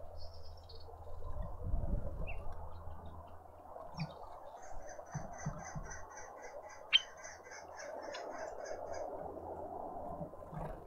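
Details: Birds in a suburban Pretoria garden with a bird feeder, South Africa: a long run of high, thin chirps repeated quickly for several seconds over steady low rumble, with one sharp louder note partway through.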